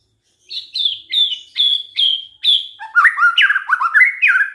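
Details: Lure song of a white-rumped shama, meant to set other shamas singing: a series of short high descending whistled notes, then lower, fast, varied rising and falling whistled phrases.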